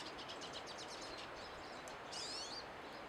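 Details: Pine siskins singing: a quick series of faint high twittering notes, then a single loud buzzy, wavering, rising note, heard over steady hissing background noise.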